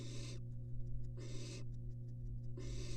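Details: Inside a University of Florida nest box, three young barn owls sit close together on a live nest cam. Three long, drawn-out rasping hisses, each nearly a second, are separated by short pauses with faint clicks, over a constant low hum.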